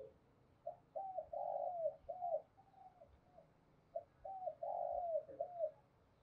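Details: Spotted dove cooing as a decoy to attract wild birds. Two runs of repeated rounded coo notes, each a soft series of four or five mellow hoots, separated by a pause, over faint background hiss.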